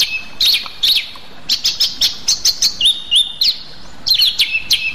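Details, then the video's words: Song of Rueck's blue flycatcher, endemic to Sumatra: rapid high chips and clicks interleaved with short clear whistles, one level and sustained, another dipping, in several quick bursts over a few seconds. "sikatan aceh"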